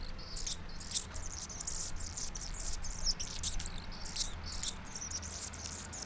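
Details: On his favourite morning perch near an avocado tree, a male Anna's hummingbird gives a very high, scratchy, buzzy song of quick sputtering bursts, recorded from just below the perch, over a low steady rumble.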